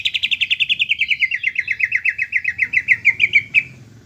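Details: Greater green leafbird song, played as a tutor to make untrained young birds sing: a fast, steady run of about twenty-five clipped whistled notes that slowly fall in pitch, ending with a short slurred note.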